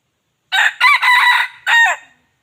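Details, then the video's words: Lure recording of a wild chicken: one full, loud crow in four segments, a brief opening syllable, a rising second, a drawn-out harsh middle and a clipped closing note, with silence before and after. "suab qaib qus zoo dib qaib tuaj zoo heev"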